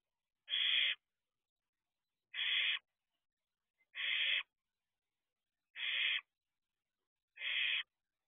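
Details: Barn owl owlet at the nest box before dawn, 4:31 am, 6/2/23, giving five regular, raspy screeches, each under half a second, repeated about every one and a half to two seconds in quiet surroundings.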